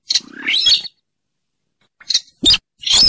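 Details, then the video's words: Trapping lure of a rail from marshes by rivers or lakes: a rasping rising squeal, a pause of about a second, then loud harsh high-pitched screeches. "suara pikat burung sintaran sawah / weris /mandar dengkur"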